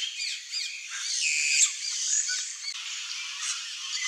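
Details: Red-rumped cacique calling: squeaky, looping whistled notes and harsher squawks layered over a continuous high hiss of other voices, with a louder burst near the middle.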